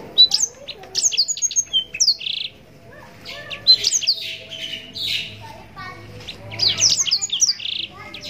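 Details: Blackthroat song used for training contest birds: fast high whistles, buzzy notes and rolling trills in two long phrases with a gap of quieter low sound between them.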